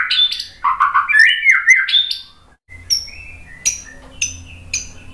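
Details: White-rumped shama singing in a training recording meant to provoke replies: rich warbled whistles swooping up and down, then a pause and sparse sharp high chips about every half second over faint low hum.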